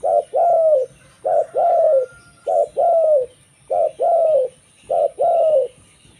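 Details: Zebra dove, local type, whose song serves to lure other zebra doves. Five evenly spaced couplets of mellow coos, each a short note and a longer gently falling one, about one per second.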